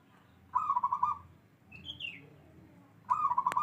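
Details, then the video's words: Local perkutut (zebra dove), a bedah karang type: two rapid rolling phrases of about eight quick, pulsing coo notes, each lasting about half a second, spaced about three seconds apart; a brief higher sliding call from another bird between them. "Perkutut lokal alam katurangan bedah karang"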